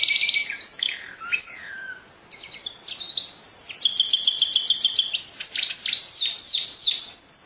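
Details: Canary in full song: falling whistled slurs, a short gap, then a long clean whistle followed by rapid rolling trills and downward-curving notes.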